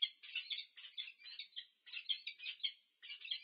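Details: Peregrine falcons, a pair meeting at a nest at UC Berkeley, USA, 2 November 2022, filmed on a nest cam: bursts of grating, rasping notes in quick succession, broken by two short pauses, with nothing else audible.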